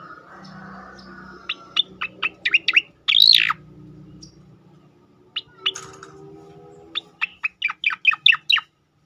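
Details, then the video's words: Cicakoreng (striated grassbird) singing its tembakan phrase as training audio for other birds: bursts of staccato high notes, a loud harsh buzzy slur, a pause, then a fast accelerating run of sharp clear whistles. "khass tembakan cicakoreng"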